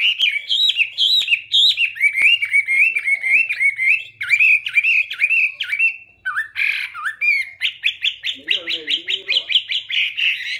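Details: Loud, varied song of a Chinese hwamei: slurred whistles rising and falling in a rapid stream, a harsher buzzy burst near the middle, then a fast run of repeated clipped notes to the end.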